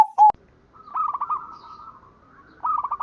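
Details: Zebra dove heard in the morning; a sharp knock opens, followed by a soft trilled phrase of rolling coos, a lull, and then another brief purring phrase.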